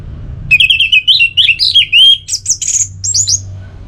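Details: Orange-headed thrush delivering a varied, fast song phrase: slurred rising and falling whistles running into squeaky, sharp high notes, continuous for about three seconds, as a relaxed song to encourage other kept birds.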